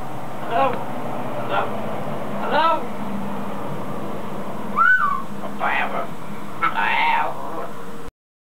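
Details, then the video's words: A pet macaw outside mixes mimicked words and noises: scratchy syllables, one clear bent whistle midway, then broad raspy calls before the sound cuts off, with low hum throughout. "Exotic Macaw Talks A Lot"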